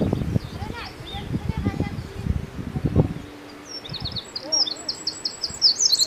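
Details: Eurasian wren (Troglodytes troglodytes) in Morocco bursts into a rapid, high, rattling trill of bright repeated notes near the end, after a few seconds of low rumbling noise and faint voices.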